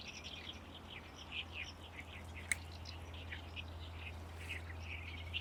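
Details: Great reed warbler in full-power song in Lake Biwa reed beds during May: a jerky series of grating, squeaky syllables with a sharp click near the middle, over a low steady hum.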